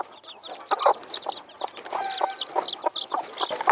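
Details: Hen of the Silver Phoenix breed with chicks, March 2013: scattered mid-pitched clucks and murmurs beneath busy, high, looping cheeps from the young birds.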